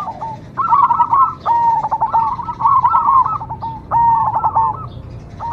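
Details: Cemani zebra dove delivers several linked phrases of quick stuttering notes and purring trills, each ending in a slightly lower rolled coo.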